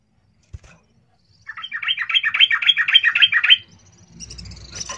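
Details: Yellow-vented bulbul 'cuk cuk' call, used as a lure to get bulbuls calling: a two-second burst of quick, bubbly chattering notes, then fainter high notes over a low background rumble.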